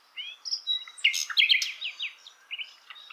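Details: Hill blue flycatcher singing in the wild: a quick, high jumble of sweet whistles and chattering trills, with short sliding notes tumbling one after another.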